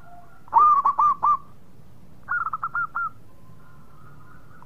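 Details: Local zebra dove singing actively: a loud phrase of four hooked coos, a quiet gap, then a softer, higher phrase of quick clipped notes, with faint trailing tones between.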